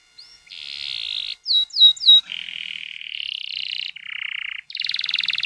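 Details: Canary rolling song meant as a lure for young birds to sing quickly. Long buzzy trilled rolls shift between pitches, broken by three quick bright upswept whistles, ending in a pulsing high roll.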